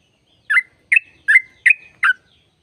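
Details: Sooty-headed bulbul uttering five bright, slurred, bubbly notes, spaced about every 0.4 seconds, some with a brief whistled tail. The song is played to spur other sooty-headed bulbuls into song. Quiet background.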